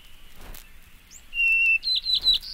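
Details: White-crowned Sparrow song: a clear, steady, high whistle held for about half a second, followed by a few quick, higher, buzzy and warbled notes. The background is quiet, with faint hiss.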